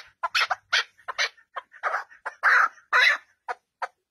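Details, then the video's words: Partridge at home calling in irregular bursts: short clipped notes mixed with longer, noisier rasping calls, uneven spacing and varying loudness. "Partridge at home"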